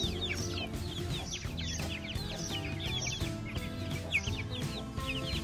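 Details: Protective mama hen leading her week-old chicks, some adopted, through feeding and a mud bath on a Pakistani farm in Sialkot; dense chorus of shrill down-slurred peeps throughout, over continuous background music.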